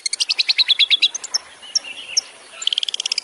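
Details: Long-tailed shrike (cendet) 'tembakan' song used as a master for tutoring songbirds: a rapid, high series of clipped notes, about three per second, breaks into scattered sharp chirps, then resumes as a fast trill.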